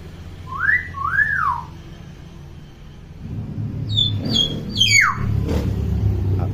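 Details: Tame, clever pet hill myna that mimics any sound, kept as a tutor for young mynas learning to talk: two clear rising-falling whistles, then quick sharp high chirps and scraping notes over low indoor rumble.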